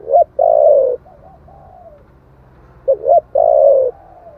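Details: Spotted dove singing in the 'thổ' voice style, a lure recording meant to rouse wild doves: a quick two-note hiccup, then a long low descending coo, repeated twice with a pause between phrases.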